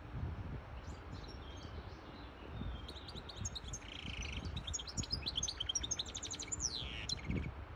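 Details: Hybrid goldfinch song meant to teach chicks and stimulate a female into mating posture; after three quiet seconds, a run of rapid high chirps, buzzy notes and repeated trills builds, with low background rumble.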